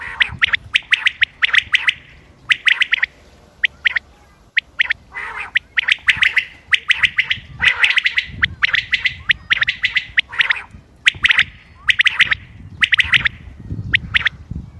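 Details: Common quail calls recorded 28 May 2025 for use in hunting: sharp, clipped triple-note bursts, repeated again and again, several birds overlapping with irregular timing and brief pauses.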